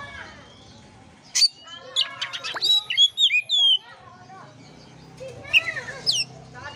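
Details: Oriental magpie-robin song played to stimulate a listless bird to sing: bursts of sharp whistled notes and rapid descending sweeps, a loud phrase near one and a half seconds, a varied run of notes midway, another burst near the end.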